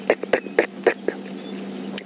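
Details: Bearded woodpecker territorial tapping, not foraging, during morning song time after the dawn chorus on a safari drive: a loose, sharp series of about five knocks a quarter-second apart, over low steady engine hum.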